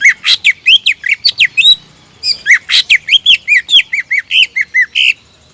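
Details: Greater green leafbird singing at full energy, played to stir rival birds into song: a nearly continuous stream of around twenty-five sharp, bending whistles and chips, broken by one short gap near the middle.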